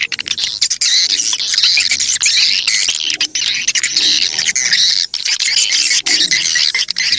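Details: Swiftlet calls recorded as a lure to draw the birds in: steady, crowded high chattering and squeaky chirps with frequent clicks. Short dips in loudness interrupt it.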